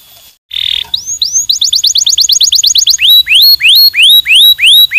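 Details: Canary stimulating song featuring powerful walnut tours: a brief buzzy note, then a quick run of rising slurred whistles, slowing into loud, evenly spaced upward-swooping notes with a dip before each.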